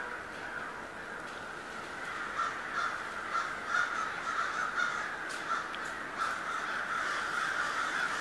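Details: Many crows massed at Schenley Farms, Oakland, Pittsburgh, late October 2013, in an urban setting; a steady wall of raucous cawing from the flock, louder bursts rising and falling over about eight seconds.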